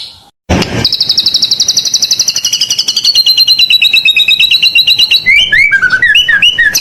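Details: White-rumped shama in full song, a long rapid high trill held for several seconds and slowly falling in pitch, then turning into quick varied whistled slurs.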